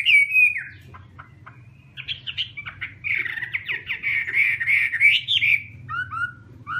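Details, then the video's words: Chinese hwamei beginning with a clear falling whistle, then harsher squawky notes, building into a long rolling warble of rapid repeated phrases, ending with a few soft downslurred whistles; low background hum. "Garrulax canorus/ Birds singing"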